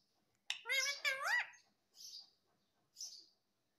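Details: Pet parrot imitating "mummy" and "papa": two clear harmonic syllables, the second rising at the end, then two soft breathy hisses about a second apart.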